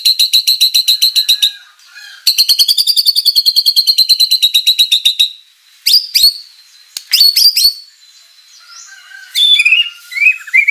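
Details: White-rumped shama in energetic full song packed with rich mimicked material, played as a lure to make rival birds answer: two long, fast, buzzy rattling trills, then sharp high whistled notes and short rising slurred phrases.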